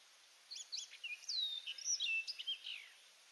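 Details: Orchard oriole singing at Donnelley WMA in coastal South Carolina: a rapid, varied warble of short whistled notes and slurred rising and falling phrases, bright and high, lasting about three seconds over faint background hiss.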